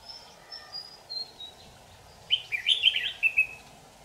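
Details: Red-whiskered bulbul, white-cheeked and yellow-gaped, recorded at a trapping session on 8 July 2019. Faint thin whistled notes lead into one loud, chattering warbled phrase of rapid rising and falling notes near the end.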